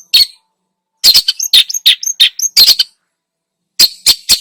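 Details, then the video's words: A long-tailed shrike in full song, used as a lure to stir other birds. Harsh scratchy bursts mix with thin high whistles in quick clusters, separated by two short silent gaps. "PANCINGAN !!! burung cendet gacor, full isian"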